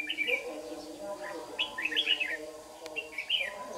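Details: Competitive dawn song of a lure red-whiskered bulbul at a trap, Đồng Nai, June 26, 2019; rapid, bouncy whistled phrases repeated several times, with murmured conversation in the background.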